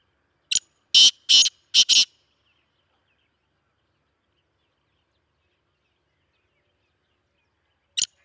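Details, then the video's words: A Sindhi Black francolin calling: one short click-like note, then four loud rasping, scratchy notes in quick succession, followed by long silence and a single clipped note at the end. "Speeder Kala Teetar Kala Teetar Ki Awaz Sindhi Kala Teetar Chakri Wala Teetar"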